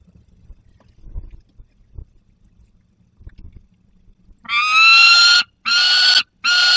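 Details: Barycz Valley peregrine falcons, 30 August 2022, a young bird with prey: about four seconds of faint rustling and soft background sounds, then three loud, rasping wails in quick succession.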